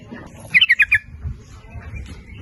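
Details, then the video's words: Lure song of a sooty-headed bulbul for calling males and females: one quick bubbly phrase of five rich notes, followed by quiet rustling. "Suara Pancingan Trucuk gacor memanggil jantan maupun betina ikut bunyi nguplik ropel"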